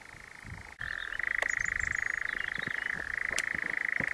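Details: A nightjar churrs in Hamsterley in 2012, with two birds showing between 9.45 and 10.30: a steady, dry, rapid mechanical trill dropping slightly in pitch twice, with faint high twittering from another bird.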